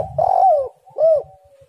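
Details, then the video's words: Spotted dove song intended as a lure to get doves singing: two soft, low coos, the first long and gently falling, the second shorter and arched, with faint low rumble beneath. "tekukur super gacor suara indah sekali, untuk pancingan"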